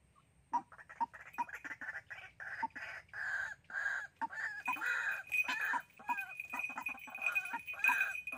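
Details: A white-breasted waterhen used as a live lure for trapping in Sóc Trăng, Vietnam, 2 February 2021, gives loud, abrupt, clucking notes in irregular bursts. Harsher grating phrases join in, and a thin high ringing tone runs through the latter half.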